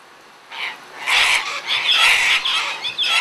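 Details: Sulphur-crested cockatoos in a feeding frenzy give harsh, raspy screeches in overlapping bursts of about half a second, loud and grating.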